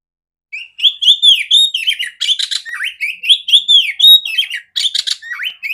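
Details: A female oriental magpie-robin sings loudly and clearly. The song is used to train other magpie-robins. It is a continuous mix of arched whistled notes, fast twittering and two harsh buzzy bursts, pausing briefly near the end.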